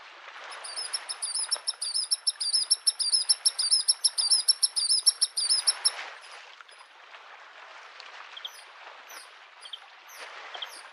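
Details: Bluethroat song in spring beside a lake: a long fast trill of metallic ticking notes lasting several seconds, followed by scattered short chirps, with steady soft waves washing the shore.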